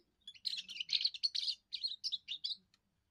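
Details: Young European goldfinch giving its first song to hold territory and attract females: continuous rapid twittering with buzzy and liquid notes, broken into short phrases, ending in a few separate chirps.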